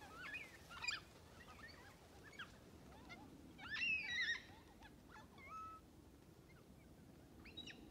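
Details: A large feeding flock of black cockatoos moves through low, dense parrot bush at Lake Clifton, Western Australia. Many brief wavering calls come from different birds, with one louder, drawn-out wail partway through.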